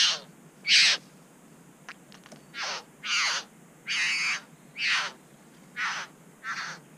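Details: A Satin bowerbird calls near its bower in NSW, Australia, on GoPro footage of birds socialising before a third arrived. Rough, buzzy churring bursts repeat roughly every three-quarters of a second, with faint clicks between them.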